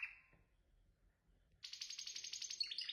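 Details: Canary singing: a brief high buzzy phrase, a pause of about a second, then a fast, dense trill of rapidly repeated notes that holds steady and high before dipping slightly at the end.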